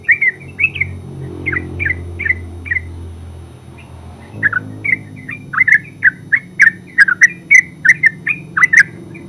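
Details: Yellow-vented bulbul giving ngeropel song: scattered bubbly chirps at first over a rumbling engine-like drone, then a denser, louder string of twisting notes with sharp clicks.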